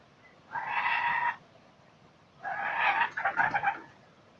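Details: Laughing kookaburras being fed at Nambucca Heads, New South Wales, Australia. Two harsh, raspy squawks, each under a second long, the second breaking into rapid stuttering notes, against a quiet background.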